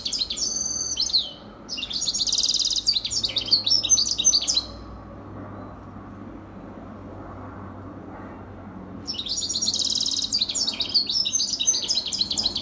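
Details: Serin mule (hybrid European serin) singing, recorded in 2021: fast, high, buzzy jingling phrases in two long bursts, a pause of about four seconds, then a third burst, with faint low background hum.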